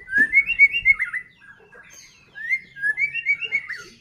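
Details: White-rumped shama song used as a lure to provoke singing: two phrases of smooth whistled notes, rising then dropping, with a pause between.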